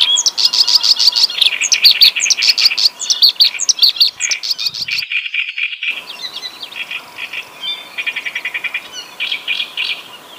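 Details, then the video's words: Reed warbler in a lively, rich song, locally praised as a Javanese mimic: rapid bursts of buzzy and chattering notes, high sharp chirps and trills repeated at a quick pace, briefly broken by a sudden silence midway. "Kerak basi gacor lagu mewah,sikatan londonya jawa"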